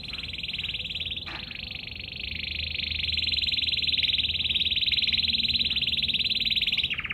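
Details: Canary holding one long, fast, even trill at a steady high pitch for about seven seconds, briefly broken near the start, over low background hum.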